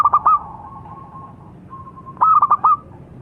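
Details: Local zebra dove cooing: a burst of clipped stuttering notes, then a long steady hum-like tone, then another quick staccato cluster, all at a mid pitch with little background noise.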